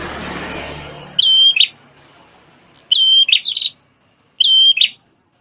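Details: Prinia of the prenjak tamu kind, red-headed and a former shama tutor, sings three whistle-and-chatter phrases after a burst of rustling noise at the start.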